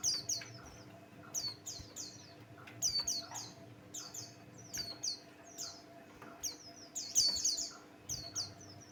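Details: Lure song of a male Buxtoni white-eye, used to provoke other birds into singing. It gives repeated clusters of shrill, fast chirps and sweeping twitters about every second or two. A constant faint hum sounds in the background.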